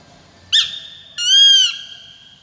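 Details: Peregrine falcon call in two parts, first a brief piercing note, then a sustained harsh, harmonic-rich wail lasting about half a second that swells and fades, with faint low background noise.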